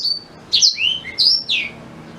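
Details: Black-throated canary song used to train a white-rumped shama: a short high whistle followed by three quick, sharply sliding notes, some falling and some rising.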